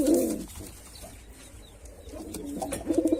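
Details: Male white pigeon performing: a short low coo at the start, a quiet gap, then rolling coos resuming at the end, with light clicking sounds.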